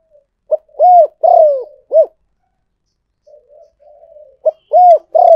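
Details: Spotted dove decoy call used for luring: a short clipped coo, a long arched coo, a drawn-out falling croo and a short rounded closing note. The phrase repeats after a pause filled with faint soft chatter.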